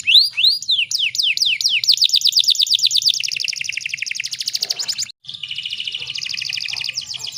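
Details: Female canary used to stimulate male canaries into song. Arching whistles lead into rapid rolling trills that drop lower, stop briefly, then resume as a steady lower trill.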